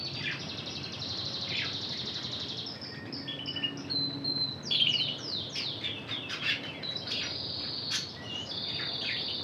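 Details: Spanish Timbrado trained song from an intense red canary: long high buzzy notes, a short whistle, then a burst of varied downward slurs and bright trills.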